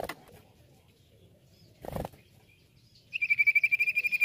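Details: After a soft rustle, a common iora, played to attract others of its kind, breaks into a fast, even trill of about fifteen high, bright notes that runs to the end.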